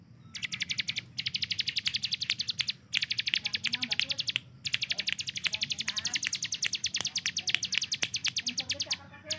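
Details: Hill prinia tutor bird used to train the speed of other songbirds. Repeated bursts of fast, high, metallic notes come in a dense machine-gun rattle. Sharp clicks are scattered throughout.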